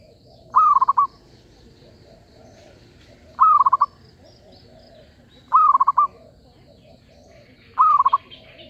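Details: Trapping lure call of a zebra dove: four bouts spaced roughly every two to three seconds, each a brief upward note followed by a quick stuttering series of soft coos, with a faint low murmur behind.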